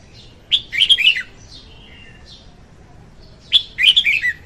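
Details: Red-whiskered bulbul female singing, played to attract birds for trapping: two lively warbled phrases of quick tumbling notes three seconds apart, with faint thin whistles between them.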